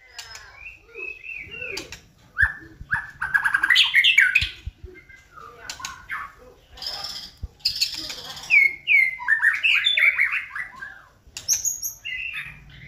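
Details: White-rumped shama singing as a lure to provoke singing: a varied sequence of clear whistles, descending slurred notes and bursts of fast warbling, with pauses and scattered sharp clicks.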